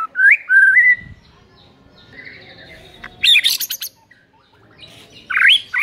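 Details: White-rumped shama lure song meant to stir a lazy shama into singing, 'tembakan rapet' style: a rising whistled phrase, then a pause, a dense burst of harsh chattering notes, and another twisting whistle over a faint background murmur.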